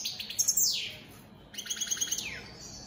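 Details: European goldfinch of an opal split satinette mutation singing: bright high twittering with buzzy trills and quick notes sweeping sharply downward, two bursts separated by a short pause.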